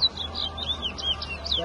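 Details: Towa towa singing in a 2022 bird race at a bird ground in New Amsterdam, Guyana, with songs being counted: a quick series of high, slurred whistled notes, then applause and a person calling counts.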